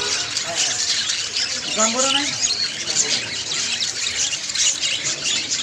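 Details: Budgerigars chattering together in a dense, continuous high twittering, with a few rising warbled notes standing out partway through.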